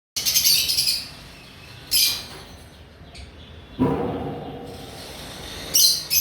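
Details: Olive Indian ringneck parakeet, male, 3.5 years old, in Mirpur, Dhaka, Bangladesh: short harsh, noisy screeching bursts at the start, near two seconds and near six seconds, with quieter rasping between and a low background rumble.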